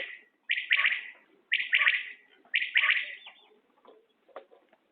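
A common quail gives three loud, liquid three-part calls, about one a second, followed by softer, scattered clicks and chips.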